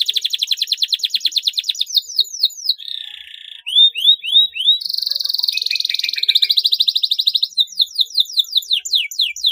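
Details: Canary song used as a lure to stimulate silent canaries to sing: a long, rapid run of repeated whistled upsweeps, buzzy trills and rattling rolls around the high range, switching phrases every second or two.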